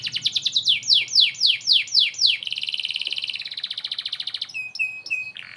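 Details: Canary in full song, recorded to tutor white-rumped shamas, pours out loud descending whistled swoops, then a dense rattling trill, finishing with short sharp chips.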